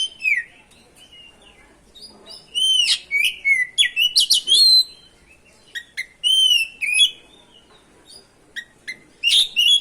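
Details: Oriental magpie-robin in continuous song to provoke rival birds; varied whistled slurs, sharp clicks and rapid chattering phrases, repeated with short breaks.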